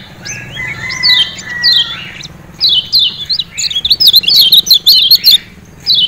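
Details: Lemon-bellied white-eye from Lombok, captive, used as a trigger for singing: scattered high downslurred chirps over a low steady whistle, building into a rapid run of sharp twittering notes.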